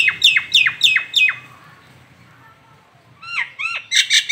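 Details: Nias hill myna, a local Indonesian bird, gives four quick, piercing downslurred whistles followed by a short pause and a trio of looping whistled notes, ending in harsh, rasping squawks.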